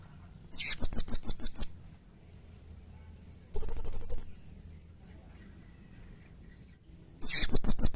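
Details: Vigorously singing blue-crowned hanging parrot (serindit), recorded to tutor and prompt cage birds: a run of high, squeaky chirps, a fast shrill trill, then another rapid series of piercing chips.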